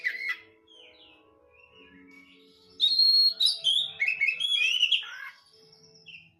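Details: Domestic Oriental magpie-robin opens with one clear note, then bursts into two and a half seconds of rich, varied whistles and sharp, ringing phrases over a faint low hum.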